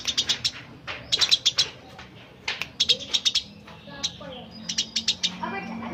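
Eurasian tree sparrow giving quick bursts of three to five sharp, high chirps, pausing about a second between runs, over faint low background noise.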